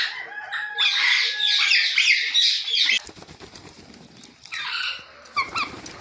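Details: Rose-ringed parakeet, a talking ringneck parrot, chirping naturally: a loud stretch of harsh, overlapping squawky chatter, then rustling and handling noise, followed by shorter chirps and a few sharp high notes.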